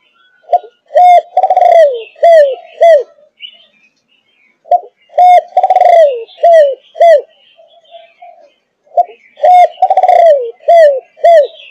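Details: Malaysian-line spotted dove, 5.5 months old, of the thúc gù cooing type. Three full cooing phrases about four seconds apart, each a short note, a drawn-out falling coo and two clipped coos, with faint softer notes between.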